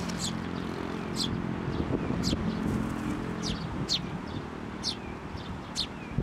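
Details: Sparrow parent coming for food at a Tenmangu shrine, 16 May 2024, turning suddenly aggressive: sharp high chirps about once a second, some doubled, over constant low engine hum and road noise.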